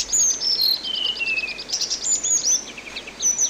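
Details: Orange-headed thrush song used for songbird training: a quick run of repeated high notes, then falling whistles and dense chattering phrases, loud and unbroken, with light background hiss.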